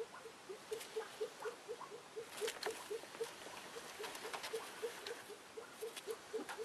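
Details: Newly arrived female Elliot's pheasant clucking in a quick regular series of short low notes, with intermittent rustling and clattering noises.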